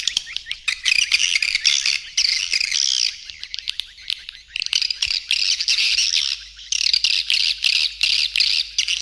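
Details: Lure call for edible-nest swiftlets, stereo mix including roosting sounds claimed to encourage nesting; high, squeaky twittering choruses in bursts of one to two seconds separated by short pauses.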